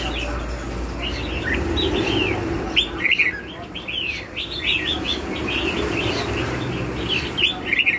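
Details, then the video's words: Red-whiskered bulbul song of the "lân hầu bò" type: chirpy phrases that grow busier after a few seconds, with sharp up-and-down slurred notes repeated rapidly. "CHÀO MÀO LÂN HẦU BÒ"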